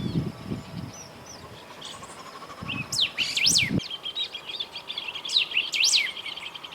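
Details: Golden-billed saltator singing near Esperanza, Santa Fe, Argentina, in 2020: a short burst of sharp, high, arching whistled notes around the third second, then lighter chattering notes, over low rumbling noise early on.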